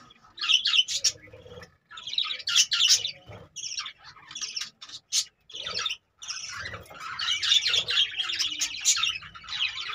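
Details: Caged budgerigars in loud bursts of scratchy chatter and squawks, briefly pausing then resuming in a dense overlapping flow.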